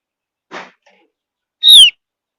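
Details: A soft low rustle, then one sharp high whistle falling in pitch, from a Javan grey-throated white-eye of high mountain forest, its whistle claimed to coax other birds into song.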